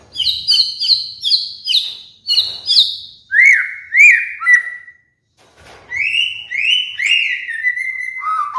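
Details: Caged murai batu (white-rumped shama) singing master trigger song for training molting birds: a fast run of high repeated whistles, then lower rising-and-falling whistled notes, a pause, and further varied sliding whistles.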